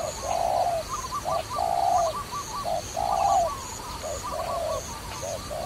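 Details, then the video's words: Dove cooing during trapping, alternating short soft coos with longer throaty notes several times. Small birds twitter brightly above it, and a thin high chirping repeats throughout. "Wonderful Trapping Dove"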